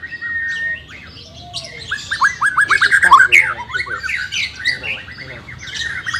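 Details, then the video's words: White-rumped shama song for training a silent bird: dense bursts of rapid rising whistles and chattering notes, loud in the middle and softer toward the end, over a low murmuring background. "CARA MELATIH BURUNG MURAI BATU MALES BUNYI"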